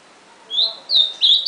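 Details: Ultramarine grosbeak producing three short slurred whistles, each rising then falling, spaced about a third of a second apart.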